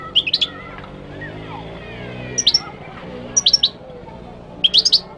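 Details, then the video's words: Moroccan goldfinch song, Morocco: four short bursts of high, sparkling twitters spread over five seconds, accompanied by faint low rumbling background noise. "تغريد الحسون المغربي chant de chardonneret marocain"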